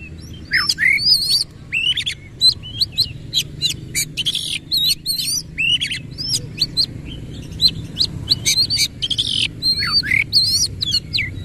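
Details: Lively Oriental magpie-robin performance with coarse fill-in material, tail opened: quick sequences of sharp chips and looping whistled slurs, repeated in bursts with short gaps, over a faint steady drone.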